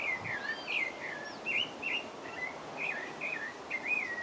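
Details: Pale-breasted thrush song from French Guiana, a lively series of whistled, warbling notes with twisting rises and falls, delivered almost without pause above a soft constant hiss.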